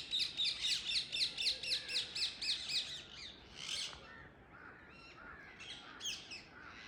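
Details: Wild Indian ringneck parakeets perched in a tree in the early morning: a rapid, regular run of about twelve shrill screeches, roughly four per second, over three seconds, followed by softer, scattered squawks.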